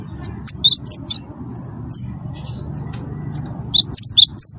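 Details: Cinereous tit (wingko) song used to provoke other birds: a few high, clear, swooping whistles early, a lone note, then a fast run of four bright whistles at the end, over low hum.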